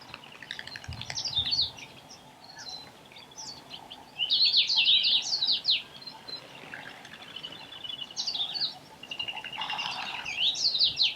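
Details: Shrill, rasping squeals from Meyer's parrots at a Botswana waterhole, arriving in uneven clusters, with a loud run midway and fainter calls scattered around it against steady outdoor noise.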